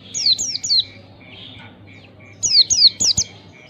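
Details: Oriental white-eye, to stimulate young birds into song: fast runs of three or four high, down-slurred chirps, a short pause with faint notes, then another quick run.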